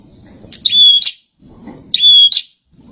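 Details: Two phrases from a kept bar-winged prinia singing actively. Each is a harsh buzzy note leading into a clear level whistle and ending in another buzz, over soft low background noise.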